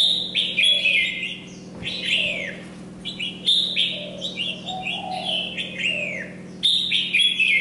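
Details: Red-whiskered bulbul used as a decoy, singing hard despite molting. Clear, warbling whistled phrases with downward swoops come in groups separated by short gaps, over a constant low background hum.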